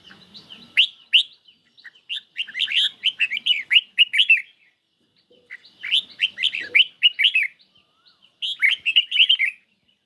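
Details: Caged red-whiskered bulbul released to sing in a singing duel against a phone recording on a lightly sunny day; bursts of bright chirpy, warbling notes in quick runs, with pauses between phrases.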